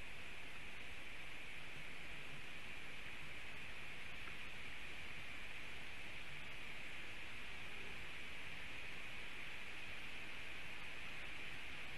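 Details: Steady broadband static hiss fills the recording, with no animal sounds.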